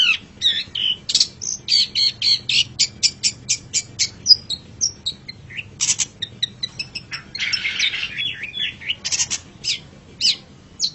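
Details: Master recording of a pet long-tailed shrike: chattering sharp chips in quick runs, mixed with a burst of harsh rasping and looping twittered notes.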